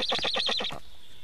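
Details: A black stork at the nest during a feeding on 24 June 2017 at 19:52 gives a fast, quavering, nasal call, about ten pulses a second for under a second, then near quiet.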